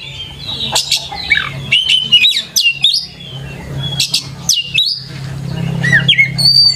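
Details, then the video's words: Oriental magpie-robin (kacer) singing a lure song used to train young birds: varied whistles, sharp clicks and slurred chirps in irregular bursts, with a steady low electrical hum throughout. "PANCINGAN KACER GACOR COCOK UNTUK PANCINGAN KACER MUDA UNTUK BELAJAR BUNYI DAN CEPAT IKUT GACOR"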